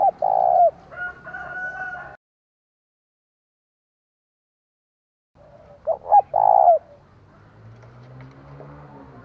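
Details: Decoy spotted dove of the 'thổ' voice type sounding its provoking call for wild birds: a sustained low coo, a silent break, then two short hoots and a longer coo, with faint background murmur.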